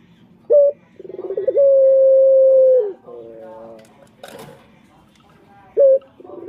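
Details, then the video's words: Male turtle dove call used as a lure for other males: a short clipped note, then a rolling trill rising into a long steady mid-pitched coo that dips at the end, followed by softer wavering notes and another short note. "Pancingan Puter Jantan"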